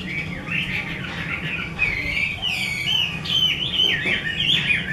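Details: Captive 'mơ' Chinese hwamei belonging to a bird artisan sings a varied warble of whistled slides and quick chattering twists, louder and more intricate toward the end, over a low background hum.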